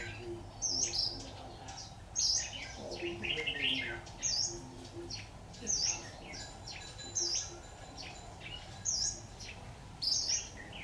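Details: Red-whiskered bulbul decoy singing at a trap on 26 October 2019: high clipped whistles repeated about every 1.5 seconds, with fuller chattering warbles early on and faint rustling noise throughout.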